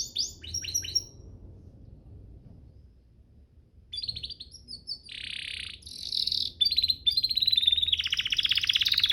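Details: Canary master song for training birds: a few quick chirps, a near-silent gap, then buzzy phrases, high whistles and a long fast rattling trill to the end.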